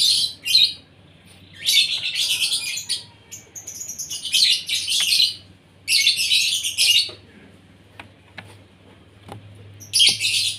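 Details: Asian pied starling having its morning feed so it sings actively; repeated loud harsh, hissing chatter phrases of one to two seconds, separated by short pauses, over a steady low electrical hum.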